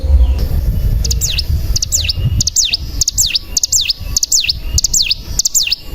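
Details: Bar-winged prinia calling as a lure to prompt singing: a steady series of sharp notes, each a quick double tick followed by a falling then rising V-shaped whistle, about eight in five seconds, over a low background rumble.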